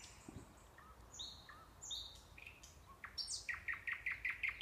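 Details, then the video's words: Nightingale song recorded in Kurchatov District, Kursk Oblast, by the Orbita sanatorium: soft thin whistles and brief slurred notes, then a loud, rhythmic run of about ten sharp repeated notes at the end. "Пение соловья"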